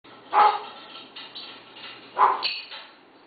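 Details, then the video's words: African grey parrot living with six dogs, imitating their barking indoors: two rough, dog-like barks about two seconds apart, with softer chatter between them, recorded 8 August 2011. "(African Grey Parrot) Barking"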